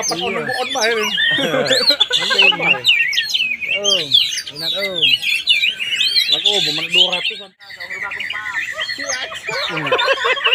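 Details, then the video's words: Kacer, the Oriental magpie-robin, tested in Palembang, delivering a busy torrent of chattering, whistled notes and quick slurs, briefly broken near the middle, over loud people's voices and shouting throughout. "MAEN ABLAK KACER"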